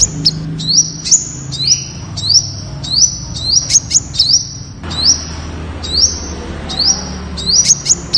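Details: Temminck's sunbird singing a steady series of high, piercing notes, each rising sharply then holding level, repeated roughly twice a second with crisp clicking accents, over soft low background rumble.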